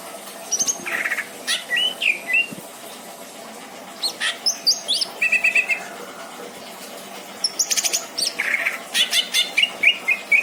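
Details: Pet greater green leafbird in a cage at a house in Indramayu, delivering a long varied song: scattered chirps, whistles and buzzy trills in bursts, then rapid clicking notes and a run of repeated slurred whistles.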